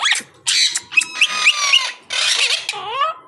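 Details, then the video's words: Pet monk parakeet mimicking speech: raspy, chattering phrases broken by brief pauses, with a few clear whistled notes and a final upward-sweeping squeaky call. "Bolnay Wala Monk Parrot"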